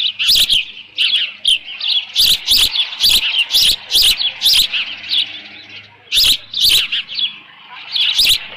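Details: Osprey at the nest, 13 June 2018, around 11:37 AM, with leftover fish; repeated high, squeaky chirps in short clusters, interrupted by hard tapping and bumping noises.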